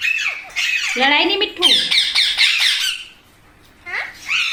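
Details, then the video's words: Indian parrots at a feeding give loud, grating squawks in quick, irregular bursts. A short pause follows, then more screeches, with a person's voice faintly mixed in. "Parrot Natural Sounds Compilation | Parrot Sounds |Baby Parrot Sound"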